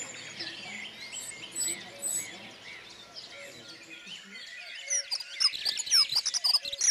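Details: Dunnock singing in Côtes d'Armor: high, hurried warbling phrases of thin squeaky notes, quieter at first and growing louder and denser toward the end, with a soft steady tonal background beneath.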